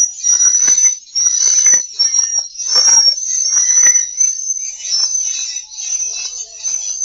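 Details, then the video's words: Swiftlet calls used as a lure to bring swiftlets to a bird house to roost: shrill, high, nonstop twittering with layered chirps and short crackling pulses roughly once a second. "teknik 2suara panggil dan inap yg terbukti mampu menginapkan burung walet"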